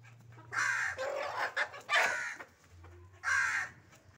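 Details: Hen giving loud, harsh, hoarse squawking calls, three main bursts spaced about a second apart, each rough and broad with a slight falling tail, softer noisy sounds between them.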